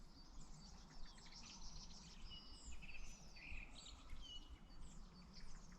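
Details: A song thrush, the first heard this year, on 29 February in mild late winter, sings bright, varied whistled phrases, each repeated three to five times, over a steady low rumble of wind or distant traffic.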